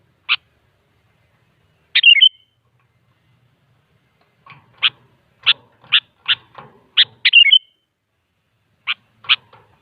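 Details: Sooty-headed bulbul singing actively, used as a lure to make other bulbuls answer: scattered sharp, clipped chip notes, some in quick pairs, with two short bubbly warbled phrases breaking in, in a quiet setting.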